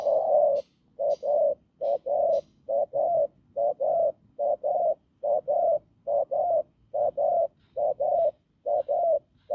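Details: Rapid hoarse cooing from a wild field spotted dove: a long chain of low, rough double-notes, closely spaced and regular, with faint clicks in the background early on.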